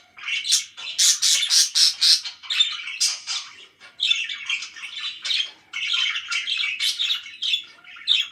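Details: A run of quick, evenly spaced sharp chirps from parakeets opens the clip, followed by steady overlapping high warbles and raspy chatter.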